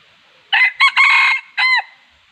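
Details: A wild Red junglefowl rooster gives a single crow in a trapping context. Two brief bursts lead into a sustained rasping section, followed by a short downward-curving last syllable. The surroundings are otherwise nearly silent.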